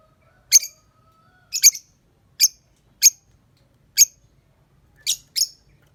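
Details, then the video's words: Lovebird calling in the morning, a series of short, very high, harsh chirps repeated at uneven intervals of about a second, some doubled, against an otherwise quiet background. "Pancingan Suara Love Bird - Untuk Pagi Hari"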